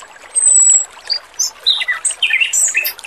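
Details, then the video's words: Clear, sweet song of a male Oriental magpie-robin recorded with trickling water: a long thin high whistle opens, followed by varied quick slurred whistles and chirps rising and falling in pitch. "MASTERAN BURUNG ROBIN JANTAN GACOR, SUARA MERDU DAN JERNIH || SUARA KEMERICIK AIR"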